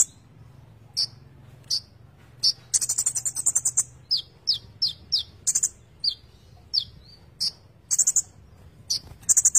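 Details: Van Hasselt's sunbird (konin) in full gacor isian song: scattered piercing chips, then a long rattling buzzy trill, followed by bright downward-slurred notes and more short buzzes.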